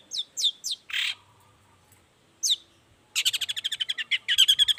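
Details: Long-tailed shrike singing in the morning to lure other shrikes to answer: a few sharp descending notes, a harsh buzzy burst, then a fast rattling series of chattering notes, about eleven in quick succession.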